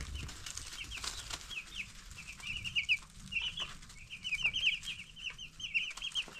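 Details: Ten-day-old broiler chicks, a group of young chickens being raised, chirp continuously: rapid, high, short peeping notes that come in dense overlapping runs, with light scratching and tapping underneath.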